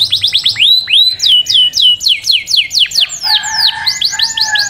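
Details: Singing canary delivers a series of loud, sweeping downslurred whistles repeated about twice a second, then shifts to quicker rising-falling notes over a lower steady tone.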